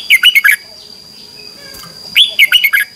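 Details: Red-whiskered bulbul singing competitively in the morning, two brief clusters of bright, chirpy whistled notes half a second long, separated by near silence, with a faint steady high tone in the background.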